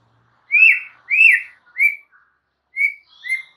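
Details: Oriental magpie-robin (murai batu) master song for caged-bird training: five rich, slurred whistled notes, the first two long and arched, the rest shorter, spaced about half a second apart.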